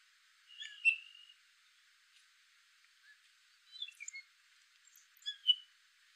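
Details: Male gray catbird calling: a few short, squeaky notes, one bright slurred note, then scattered chirps after a pause, and a final short burst of squeaky notes. No other sounds stand out.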